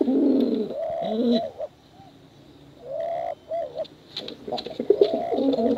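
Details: Cooing from male and female contest pigeons: a loud throaty rolling coo, a quiet gap, then short rising whistled notes and another burst of deep coos.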